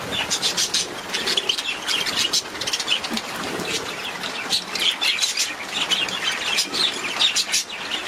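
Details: A long run of budgerigar chatter: many overlapping quick chirps, clicks and squeaky warbles in a busy, unbroken stream.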